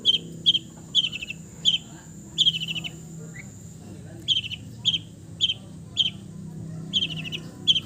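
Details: Relaxed long-tailed shrike song from East Java, full of fills: steady sequence of brief high trilled phrases repeated about every half second, with a short quiet gap midway and faint low hum behind.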